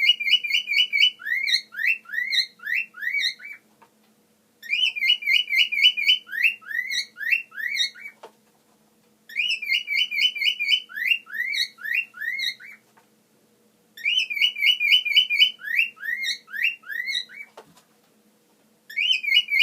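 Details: A pet cockatiel whistles a bright, repeated phrase of rapid rising and falling notes, pausing between bursts.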